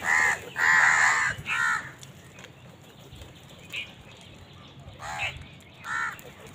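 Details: A crow's loud rasping caws in a fight over food, three close cries at the start, then fainter scattered calls from other crows after a quieter pause.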